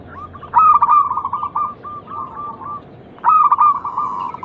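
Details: Local zebra dove singing as a lure to stimulate other doves: two loud phrases, each opening with a sharp note and then running into a fast, bubbling, trilled coo that trails off.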